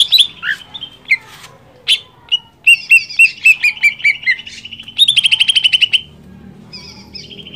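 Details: Greater green leafbird in full energetic song, meant to make another leafbird sing quickly: varied chips and slurs leading into spaced clear notes, then a dense fast buzzy rattle, over faint low hum.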